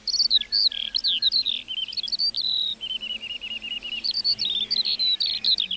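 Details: A meadow lark pours out high twittering chirps, then a steady series of about a dozen quick repeated notes, before returning to varied trilling phrases.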